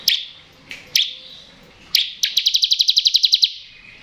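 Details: Bar-winged prinia used to prompt untrained birds to sing: three spaced sharp chips lead into a rapid trill of about fourteen crisp high pulses, roughly ten a second.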